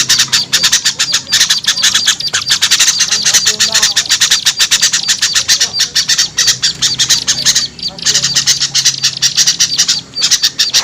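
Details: Lure call used to attract small birds: dense, harsh, high chattering chips repeated rapidly and almost without pause, with a faint low hum underneath.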